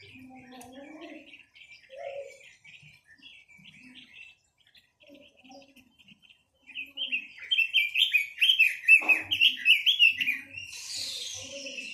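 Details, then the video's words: Chinese hwamei in a quiet stretch of soft, scattered chirps and low murmurs, then bursting into a loud, fast string of varied whistled notes before a harsh, hissing rush at the close. "Tiếng chim quế lâm"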